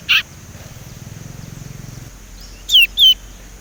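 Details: Juvenile male Sumatran leafbird learning to whistle, used to prompt other leafbirds. One short sharp note, a low rhythmic background hum, then two clear falling whistles close together.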